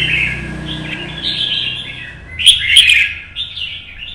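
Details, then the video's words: Caged red-whiskered bulbul in competition singing, delivering a long, rambling warble that swells into a louder, bubbling flourish midway. A noticeable low rumble and hum runs underneath throughout. "CHÀO MÀO | Nắng sớm solo chạy cầu hót đấu kích chim"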